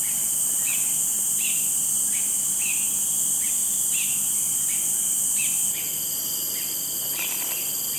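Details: Cinereous bulbul, a rare non-breeding visitor to Singapore, calling non-stop in a talkative mood. It gives short, downslurred chirpy notes about twice a second over a loud, steady high insect drone.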